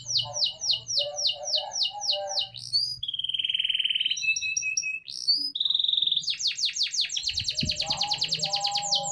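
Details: Canary in song, giving varied phrases: rapid series of high descending whistled notes, a steady buzzy tone, then fast rattling rolls and dense trills.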